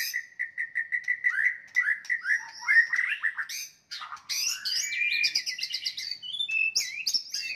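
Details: Shama (White-rumped) singing a fighting song to rile rivals: a rapid series of repeated short chirps accelerates into varied warbles, then high, ringing whistled trills and sharp notes pour out continuously.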